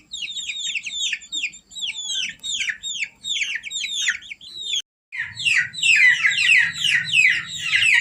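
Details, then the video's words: Chicks of domestic chickens cheeping, used as a lure for civets: quick high downslurred peeps in a steady stream, a short gap, then a louder, denser chorus over a low hum. "Suara Anak Ayam Buat Pikatan Musang"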